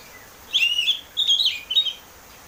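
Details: Oriental magpie-robin 'ngeplong' song used to coax a caged bird into singing: three quick warbled whistle phrases run together, bright and fluty.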